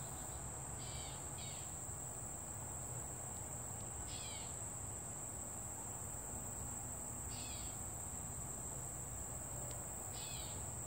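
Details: A bird calling in a sunny summer meadow: short, buzzy, downslurred chirp bursts, two close together at the start and then single ones every few seconds, over a steady high insect whine and low rumble.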